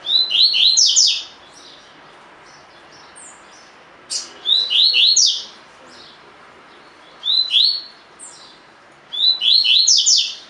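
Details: Double-collared seedeater in a cage, singing the tui tui fibra pattern as training audio for captive birds. Four quick phrases of sharp, sweeping whistled notes, three or four notes each, are spaced roughly three seconds apart, with faint high chips between them.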